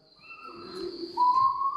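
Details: A tawny owl in the hills gives its ghostly, modulated hoot, hollow and drawn-out, ending in a wavering, slightly rising note, over a thin, steady high insect-like whine.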